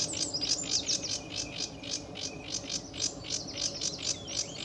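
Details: Sedge warbler in full song at RSPB Fowlmere on an early July 2013 morning, pouring out harsh rhythmic chattering notes, roughly three per second, with thin high squeaks.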